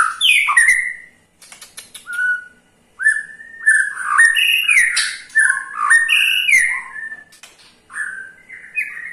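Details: Indonesian kept white-rumped shama (murai batu) with a ketrekan used to make other shamas sing: bursts of clicks and rattles, then varied loud whistled phrases, some rising, some falling, with short pauses.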